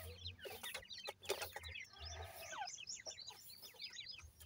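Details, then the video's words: High, repeated cheeps from many grey francolin chicks, each note sliding downward, crowding together with occasional rustles and low thumps. "pheasant bird ki checks playing,pheasant bird check ki call"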